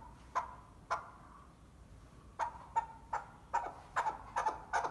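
A chukar gives a series of harsh, clucking chuck notes. They start widely spaced, then quicken into a rapid, uneven run near the end over a quiet background.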